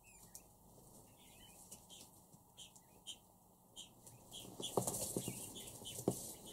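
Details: Captive Crested partridge (Rollulus rouloul) in its first week of hand feeding: soft, short high chirps at an uneven pace, with louder clicks, taps and wing flutters near the end.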